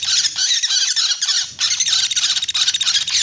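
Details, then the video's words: Woodpecker lure call, played to attract birds for trapping: dense, high, buzzy chattering notes given in rapid repeated bursts, broken by a short gap before the chatter resumes just as thickly. "Suara Pikat Burung Pelatuk beras"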